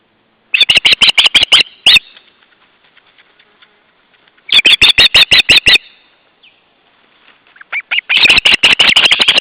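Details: Osprey alarm calls at the nest in July 2012, the day after the ringing, with an intruder near. There are three loud bursts of sharp, high, piercing notes, each burst a rapid series of about ten calls, separated by quiet pauses.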